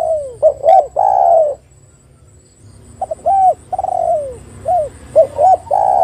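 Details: Spotted dove calling as a lure to make other spotted doves sing: two quick hooked coos, then a long drawn, falling coo, a pause, and another phrase of short hooked notes ending in long hoarse coos.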